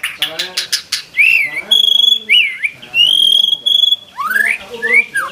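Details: White-rumped shama song with mimicked material: clicking notes, then long pure whistles held steady, interspersed with short upward and downward swooping whistled slurs.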